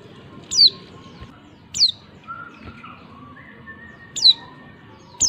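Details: Female white-eye call meant to make males answer and sing: sharp thin descending high notes, four in about five seconds with uneven gaps, softer whistled tones from other birds between them.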